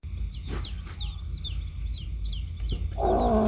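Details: Baby chicks with a hen: a rapid stream of high, thin, falling peeps, several per second, then a louder, lower, harsh clucking note at the end, over a strong continuous low rumble.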